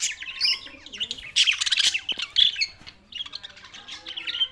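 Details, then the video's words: Budgies in Larkana, Sindh, June 7, 2024, giving loud squawky warbles and chirps in bursts, with a short quieter gap near three seconds before chattering resumes. "lonely Budgies Barids"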